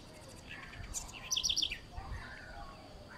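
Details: Southern house wren (Troglodytes musculus) song: a quick burst of high, bubbling notes, a few rapid chips tumbling together, over a low background rumble.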